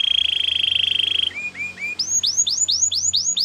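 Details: Belgian canary singing for canary training: a fast, steady rolling trill, three lower slurred notes, then a series of upward-sweeping whistles repeated about three times a second.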